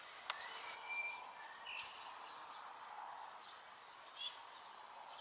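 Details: Young Eurasian blue tits calling in short bursts of very high, thin chirps, with clusters near the start, middle and end separated by quieter gaps and a soft background hiss.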